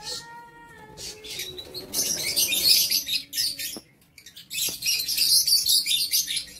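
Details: Lovebirds kept in an aviary cage, recorded 7 April 2023; sharp high chirps and squeaks in bursts, with wing flaps and a few lower whistled notes early on.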